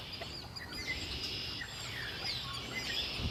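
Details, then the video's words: Lakeside birds at Lake Erie calling in a busy chorus, with arching high chirps repeated through the passage over a constant bright hiss of other singers. "Birds singing by Lake Erie"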